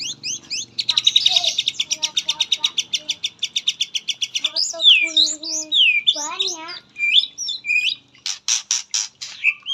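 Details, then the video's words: Song of a white-rumped shama, 'isian katem' style: a long rapid rattle of repeated notes, about four per second, then varied whistled slurs, warbles and harsh chattering. "muray pastol isian katem"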